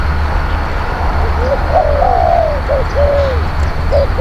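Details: Spotted dove decoy cooing heard through heavy low rumble: soft arching coos and a few short double notes, somewhat faint and uneven.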